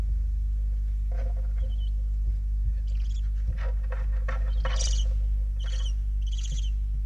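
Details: Eight young barn owls at the nest in Riet Vell nature reserve, Spain, 4 November 2021: harsh, broadband hissing screeches in uneven bursts, several overlapping in the later part, over a steady low hum.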